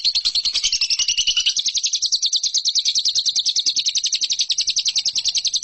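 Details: Competition lovebird master recording: an unbroken high trill, slightly falling in pitch early, then a steady rapid rattle of sharp chirps running to the end.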